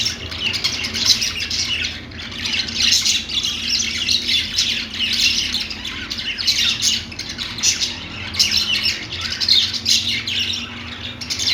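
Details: Perched parakeets keep up a steady, rolling chorus of scratchy squawks, clicks and high chirps in pulsing waves, many birds at once, with a low background hum.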